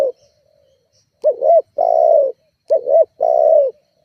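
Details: Persistent spotted dove call used to lure and provoke rivals: a faint trailing coo, then two phrases of a short doubled hooked note followed by a long, steady coo.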